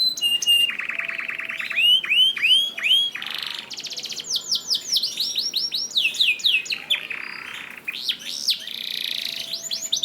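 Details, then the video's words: Canary song used as a master recording to train other canaries to sing: rapid trills, buzzy rolls and repeated downslurred whistled notes switching every second or two, bright and high, over a faint steady hum. "MASTERAN KENARI GACOR AUTO RESPON UNTUK KENARI ANDA YANG SUSAH GACOR"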